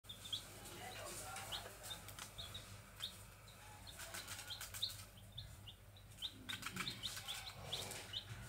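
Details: Grey junglefowl chicks peeping: many short, high, slightly rising peeps repeated at irregular close intervals over a background of rustling, crackling and a steady low hum.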